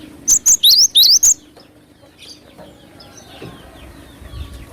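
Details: Cinereous tit (glatik batu) singing vigorously as a lure recording: a quick run of about six high, whistled two-note phrases, then near silence with faint distant chirps.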